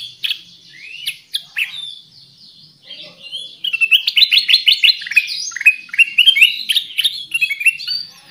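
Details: Lure song of the Black-crested Bulbul, locally kutilang emas, meant to draw birds in: a few scattered sharp chirps, a brief lull, then a dense, lively burst of quick slurred warbling notes.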